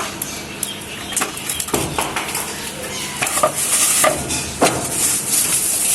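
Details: Sizzling, stirring and clattering of pots and utensils fill the recording, with no animal voice heard.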